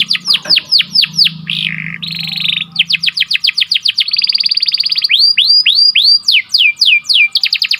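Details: Atlantic canary song used as a training lure to trigger singing in breeding birds: rapid series of high whistled upslurred and downslurred notes, buzzy trills and sweeping phrases, bright and continuous with no other sounds.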